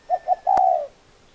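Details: Single spotted dove phrase: two short soft coos then a long, sustained, slightly falling hoot, with a brief click over the long note.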